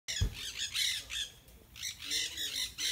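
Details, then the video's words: Parrots in the trees give loud, harsh, overlapping squawks in repeated bursts, several birds calling at once with a brief lull midway, outdoors. "The sound of parrots in the trees"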